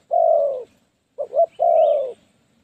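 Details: Lure spotted dove calling in the 'phá lúa' way to catch wild doves; a long husky coo, then a quick double note and another long coo, with a faint high chirp overhead.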